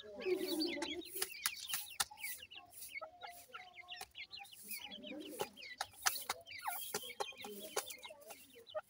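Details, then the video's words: Feeding grey francolin chicks, known locally as teetar, make a busy stream of high, quick peeps. Frequent sharp tapping clicks, like pecking on a hard surface, break in throughout. "gray francolin little chicks feeding,teter chicks awaz"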